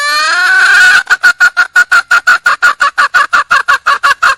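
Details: Wild red junglefowl hen calling for a male: one drawn-out, harmonic-rich nasal note lasting about a second, then a rapid run of short, evenly spaced pulsed notes, about six per second, loud and clear.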